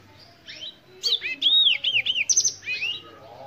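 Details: Black-throated canary, a bird from Africa, singing a short burst of high, sweet warbled notes and quick slurred whistles after a brief quiet start, fading at the end.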